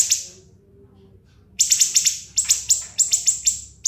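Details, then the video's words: [['Siri-siri singing in ngebren style as training material for cage birds: a brief high note, a quiet gap, then quick bursts of sharp descending chips in twos and threes.']] "MASTERAN BURUNG SIRI-SIRI NGEBREN SUPER PEDAS TEMBAKAN TAJAM & SUPER PANJANG"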